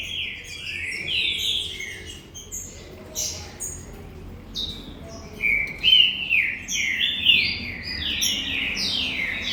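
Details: Galador green-winged saltator in captivity at a breeding farm: whistled, sliding phrases come in irregular bursts, strongest in the second half, with a low voice murmuring faintly underneath.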